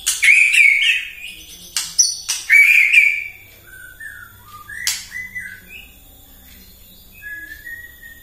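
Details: White-rumped shama singing at dawn as a lure to provoke other birds: loud warbled phrases and clicks at first, then softer scattered whistles.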